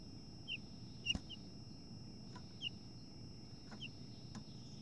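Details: House finch chirps at a nest taken over by a second female, short bright calls singly and in quick pairs about once a second, with sharp knocking taps between them and a faint steady electronic whine.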